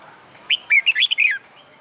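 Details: Red-whiskered bulbul, a wild-caught bird kept in a cage and trained for fighting song, delivers one quick phrase of five or six clear whistled notes, jumping up and down, under a second long.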